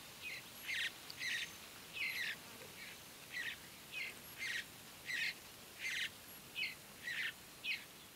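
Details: Begging Mountain Bluebird young at Great Sand Dunes National Park, Colorado, early morning: a steady run of about a dozen grating, hoarse bursts, each under half a second, spaced roughly every half to one second.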